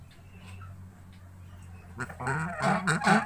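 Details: Goose near its egg giving harsh, loud honks in quick uneven bursts during the final second and a half, after a quiet stretch with a low steady hum in the background.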